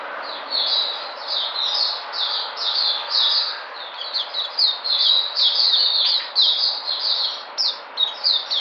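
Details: White-eye called puteh, 13 February 2020, regaining vigour: lively high-pitched warbling of smeared, overlapping notes, slightly softer at first, becoming choppier with quick bursts toward the end.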